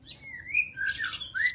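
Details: Velvet-fronted nuthatch song: slurred, wavering whistles broken by two bursts of harsh, sharp chattering notes, all within about a second and a half.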